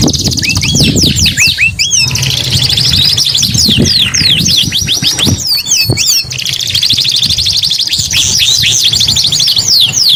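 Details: Canary song in bursts of fast high trills and swooping whistles, briefly pausing and resuming, over a noticeable low rumble and hum.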